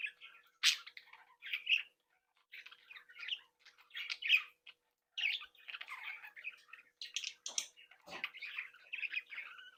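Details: Breeding flock of pet budgerigars, described as talking, singing and mimicking, produces soft rolling warbles and chirps, punctuated by a few louder sharp squawks and faint wing flutters.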